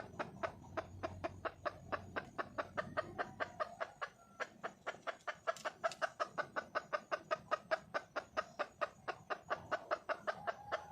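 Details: Long, unbroken run of around fifty quick clucks, gradually tightening in pace, from a wild red junglefowl hen calling out for a male; faint background hiss throughout.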